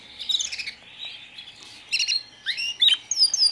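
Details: White foreign canary chicks, just arrived, give scattered high squeaky chirps in small bursts, with short downward and upward slurred tweets near the end and brief quiet gaps between calls.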